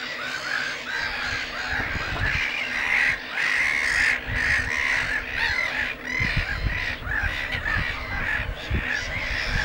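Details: Black-headed Gull colony at Lake Hornborga: a dense chorus of harsh, rasping kraah calls overlapping almost without pause, over a low rumble of wind.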